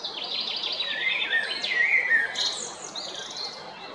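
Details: Eurasian blackbird, a male, at Jarun in Zagreb, Croatia, recorded on 22 April 2021. It gives a tumbling run of rapid notes that dips into a mellow low-pitched warble, then ends in squeaky, high-pitched twitters.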